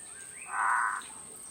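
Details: Female Red-headed trogon, a bird of evergreen and mixed deciduous forest, giving a single low, soft, rounded note lasting about half a second, over steady background hiss and a high constant whine.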